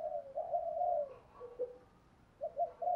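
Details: Soft, drawn-out cooing from a spotted dove singing the thúc gù and gáy gọi song styles. A long, even hoot is followed by a brief pause and two short notes, over faint background hiss.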